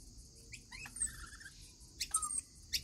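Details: At a routine feeding, rainbow lorikeets give a short run of buzzy chirps, then two sharp screechy bursts near the end.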